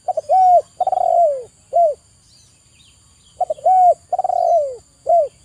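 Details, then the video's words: Cooing of a spotted dove played as therapy for stressed, quiet birds: two rounds of soft low phrases, each with a quick stutter, a long falling coo and a clipped final note, about three seconds apart. "TERAPI TEKUKUR STRES DAN MALAS BUNYI"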